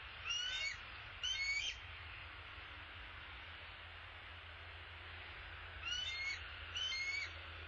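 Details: Bald eagles at the nest as the male arrives, apparently carrying an opossum: two pairs of high, squealing chittered calls, one pair at the start and one near the end, over a steady rain-like hiss.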